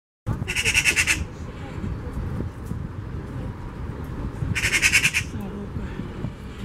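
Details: Eurasian magpie giving two bursts of harsh, rapid rattling chatter, each under a second long, over steady low rumbling background noise.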